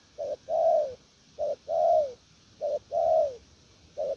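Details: Spotted dove delivering a "gù lèo nước" style coo: a clipped low note followed by a longer, warm, slightly falling coo, the pair repeated three times in steady rhythm, ending on another short note; quiet background.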